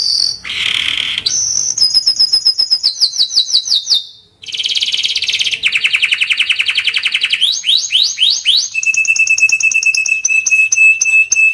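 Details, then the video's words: Timbrado canary song full of variety: rolling trills, a falling series of slurred chirps, a long rapid buzzy tour, rising sweeps and a final steady whistled note with quick stuttered accents. "Timbrado canary singing beautiful melody"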